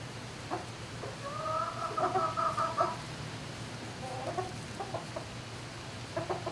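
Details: Turkeys calling in a barn at night, 11 May 2018: a long pulsing harmonic trill in the middle, followed by short clucking notes, over a low droning hum.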